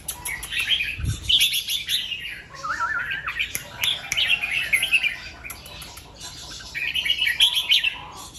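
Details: Red-whiskered bulbul in morning song, 'double 2-3' and 'rik' styles: rapid warbled notes about three per second, including a wavering trill midway, in fast lively phrases, with a brief low thump near the start.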